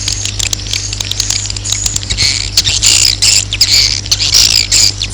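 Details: Roosting swiftlets, their call used to attract the birds to roost: dense, loud high chattering and squeaky twitters that swell in the second half, over a steady low hum.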